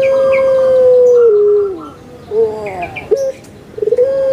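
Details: Kept puter pelung Barbary dove from Java, Indonesia. A strong, drawn-out hooting note sags lower after a second, then soft rolling coos follow. Clipped notes rise back into a new long, even hoot.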